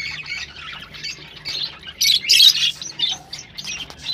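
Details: Rosella sounds for breeding stimulation: rapid scratchy chatter that swells into a loud harsh squawking burst mid-clip, then softer chirps.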